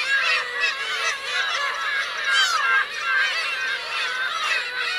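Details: On Teuri Island's Kurosaki coast in Hokkaido, 17 June 2021, Black-tailed gull parents and chicks give a constant chorus of mewing cries; a few long drawn, level wails and one rapid rising-falling series stand out.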